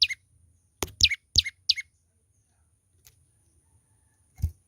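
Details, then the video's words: Young olive-backed tailorbird singing vigorously: a few sharp, high descending chirps, mostly in pairs, near the start, then a long quiet gap before one more note, with scattered dull knocks and clicks. "burung prenjak lumut muda gacor"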